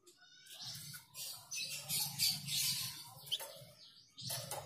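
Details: A Flamboyan bird (Tledekan Jati) gives a busy, high, scratchy chatter of rapid twittering notes almost without pause, over a low steady hum in the background.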